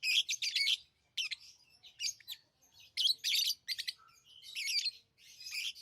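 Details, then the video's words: Lovebirds chirp in shrill, rasping clusters of rapid high notes, with a short pause before further harsh bursts, over a faint low hum. "Love birds Sounds | lovebirds chirping sounds| parrot beautiful sounds"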